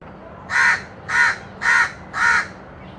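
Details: Crow calling four times, harsh hoarse caws evenly spaced about half a second apart, each short and loud over a quiet background hum.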